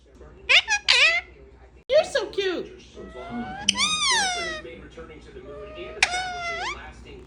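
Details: Male Indian ringneck parakeet kept as an indoor pet, talking and making baby-like noises: sharp squeaky bursts, then drawn-out rising-and-falling harmonic wails and a final upswept whine, over low room hum and faint background voices.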